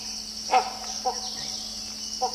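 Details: One of a pair of pied hornbills sitting on a dead treetop and calling to each other in duet gives three short, harsh, cackling bursts about a second apart, over a steady high insect drone.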